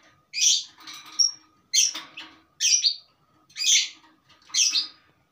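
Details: Long-tailed shrike in settled song full of varied material. Harsh, scratchy high bursts come about once a second, with one thin whistle between the first two phrases.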